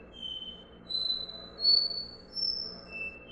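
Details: A Copper seedeater (Sporophila bouvreuil) sings a "do-re-mi" song: pure, clear whistled notes at different pitches, each held briefly, in a slow stepping series like a simple scale.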